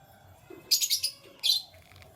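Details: Canary chirping in the morning: a loud burst of rapid, high, bright twittering notes lasting under half a second, followed by a shorter second burst, with faint low background noise.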